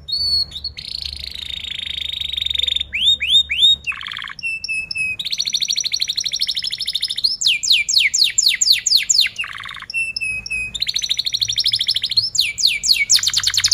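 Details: Loud, vigorous canary song with rolling trills, meant as a lure to teach young or silent canaries to sing; fast sweeping trills alternate with rapid buzzy rolls and brief lower whistled notes, phrases following almost without pause.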